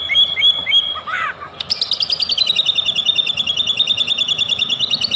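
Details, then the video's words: White-rumped shama singing as a lure to set off other birds: three short clear whistles, a brief noisy burst, then a long rapid trill of bright repeated notes. "OTOMATIS IKUT NaRUNG DAN EMOSI,DENGERIN KICAUAN INI,PANCINGAN MURAI BATU,SUPER GACOR"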